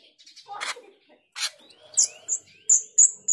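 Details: Female grosbeak starling, a lure call: two harsh rasping bursts, then rising whistled slurs and a rapid run of piercing high chips at the end.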